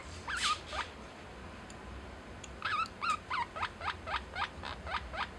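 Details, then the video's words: Caged pet lineolated parakeet vocalising "love you" (daisuki) to its keeper: a couple of twisting chirps, a pause, then a rapid, quiet series of about a dozen looping syllables. "Life with Lineolated Parakeet 077 love you サザナミインコとの生活 だいすき"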